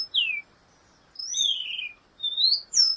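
Black-goggled tanager giving high, thin slurred whistles, some falling and some rising, in four short phrases over three seconds against quiet background.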